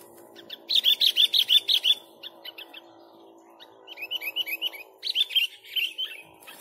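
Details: Energetic sooty-headed bulbul song for luring birds: a rapid even series of about eight bright whistled notes, then looser bursts of quick rising-falling whistles, over a steady mechanical drone.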